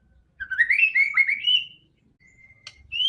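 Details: White-rumped shama singing, a song used to prompt a quiet bird to start singing: rising whistled phrases sliding upward, a long steady whistle after a pause, then a sharp click and a high bright note.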